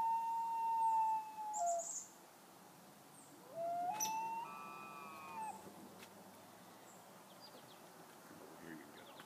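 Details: Morning loon calls in mist: a sustained wail dropping slightly at its end, then after a pause a second wail rising in a smooth upward slide and holding, with faint high chirps between.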